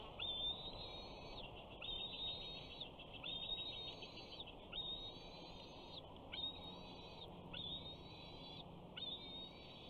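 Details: Young male bald eagle, 68 days old, calls from its nest at Big Bear on the first day of summer 2019 while a parent brings in fish. A steady series of high, thin whistles, each a short rising note, recurs roughly every one and a half seconds.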